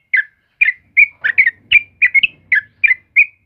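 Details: In the morning, a sooty-headed bulbul repeats clear, slurred whistled notes, each dipping or rising in pitch, at a rate of more than one per second, over a quiet background.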